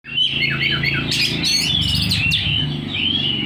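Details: Oriental magpie-robin singing energetically with its tail fanned: a varied run of sweet whistled slurs and rapid chirps, over a steady low mechanical hum.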